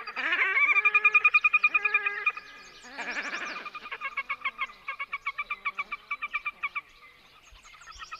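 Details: A pair of Red-necked Grebes duetting in loud, harsh, braying calls, a long wailing run then a quick string of rhythmic, laughing whinnies; such calls carry far over open water.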